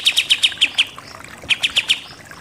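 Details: Pied triller in 'nembak-nembak' style, giving two short bursts of crisp, high, evenly spaced chipping notes, six then four, separated by a brief gap.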